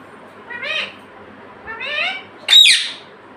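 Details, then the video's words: Pet parrot, said to talk and call "mummy" and "papa". Two nasal, speech-like harmonic phrases about a second apart, then a sudden loud, grating squawk. "मम्मी पापा बोलता तोता"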